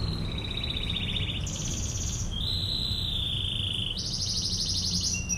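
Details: Canary singing a 'tembakan ngebren' master song: a mid-pitched rolling trill jumps to a higher rapid trill, drops into a long smooth lower trill, then rises again to a bright fast roll, with constant low hum beneath.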